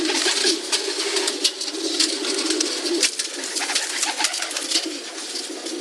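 Pigeons coo in a low, soft, continuous murmur, several voices overlapping, over a steady hiss and scattered clicks and rustles.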